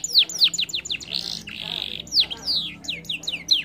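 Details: Canary singing as a stimulus for a bird that is slow to sing, with quick descending whistles, then a rasping buzzy passage, then more falling whistled notes.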